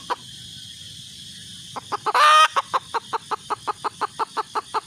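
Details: A red junglefowl hen calls for a mate. After a lone cluck and a brief loud harsh burst, a brisk, even series of short clucks follows, about three per second.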